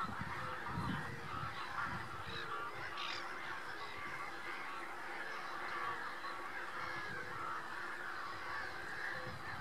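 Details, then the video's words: Common pochards in a steady, continuous chorus of overlapping low, nasal honks and growls; no single call stands out and the noisy flock sound runs unbroken throughout. "Rața cu cap castaniu - Aythya ferina- Common pochard"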